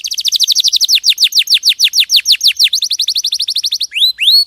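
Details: Champion canary singing in a clean recording: a long tour of quick descending notes repeated several times per second, a short faster rattle, then two rising looped whistles.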